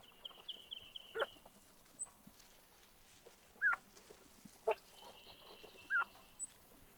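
Gunnison Sage-Grouse: four short, hollow popping sounds with brief warbling whistles, spaced one to two seconds apart, over a thin, high, steady trill.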